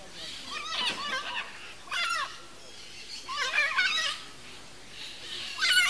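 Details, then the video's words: Mated pair of Red-and-green Macaws (Ara chloropterus) in their natural habitat, squabbling in an animated exchange: four harsh, raspy, harmonic-rich squawks in quick bursts over six seconds, the last loudest, with quiet gaps between. "Arara-vermelha: Casal Discutindo a Relação"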